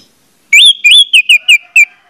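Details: Orange-headed thrush song used as a lure to prompt other orange-headed thrushes to sing: a loud rising whistle followed by a run of short, clear whistled notes sliding downward, about six phrases in under two seconds.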